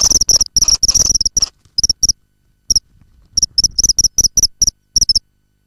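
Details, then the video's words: Common kingfisher (Alcedo atthis) recorded inside its nesting burrow gives bursts of short, shrill, high notes in quick irregular runs, broken by brief pauses; otherwise quiet. "Hlas ledňáčka (Alcedo atthis), Kingfisher"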